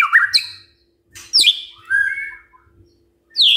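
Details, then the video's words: Morning song of a white-rumped shama used to provoke other birds: a few loud separate phrases, sharp high downslurred notes and a short warbled whistle, with silent gaps between. "Pancingan PAGI-PAGI AGAR MURAI GACOR❗ murai diam pasti ikut NYAUT EMOSI❗❗"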